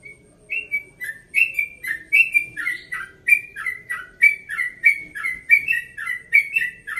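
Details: A relaxed dawn 'ropel' song from a 1.5-year-old yellow-vented bulbul kept in Bekasi: the bird starts after a brief pause, then pours out quick, bubbly whistled notes, rising and falling, several per second for seven seconds.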